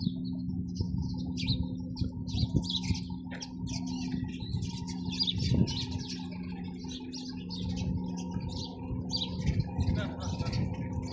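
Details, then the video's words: A flock of sparrows chirping busily, with dense overlapping high twittering and chirps throughout. A steady low electrical hum runs underneath, along with occasional thumps. "চড়ুই পাখির কিচিরমিচির শব্দ Chirping sound of sparrows"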